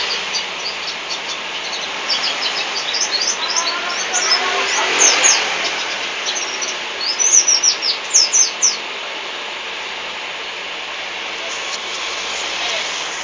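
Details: Lambur local white-eye delivering scattered high twittering notes that build into a dense, excited burst of quick downward chirps, then trail off into near quiet with a few distant notes over steady background noise.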